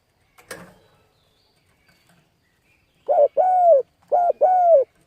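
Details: Spotted dove cooing to attract wild birds while training a decoy. A sharp knock sounds early, then silence, followed by two short-long pairs of low, mellow hooting coos.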